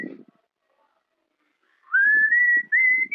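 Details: Pet cockatiel, trained to imitate, whistling the tune of Wind of Change by Scorpions indoors: after a quiet pause, a pure whistled note slides up and levels off, then a second rising note climbs slightly higher, with faint soft rustling beneath.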